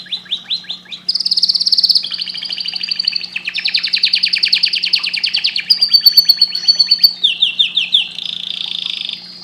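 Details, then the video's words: Canary singing a loud, varied song of fast rolling trills that shift pitch from section to section, with buzzy high rattles and steady rapid repeats; faint low hum. "Canary bird singing"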